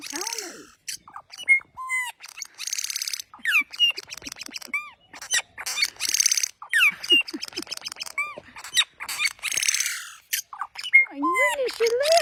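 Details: Busy, loud bird vocalizing: dense strings of rising whistled notes, quick clicks and rasping squawks tumble over one another with few gaps, some notes dipping lower into curved slurred whistles.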